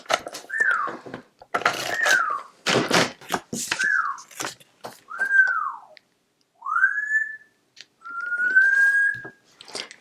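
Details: A male African grey parrot, excitedly chiming in indoors, gives clear whistles: short downward slurs, a rising note, then one long level whistle, with paper rustling and tapping between.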